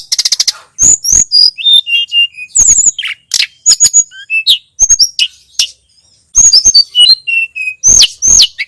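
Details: Training song of the Sunda robin: opens with a fast buzzy trill, then a stream of clear whistles, downslurs and ticks, briefly thinning before resuming strongly.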